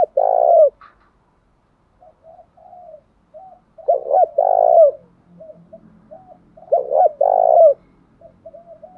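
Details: Large spotted dove calling to provoke a fight in the 'thổ bầu' voice: three phrases, about three seconds apart, each of two quick hooked coos and a longer purring coo, with quiet murmuring between.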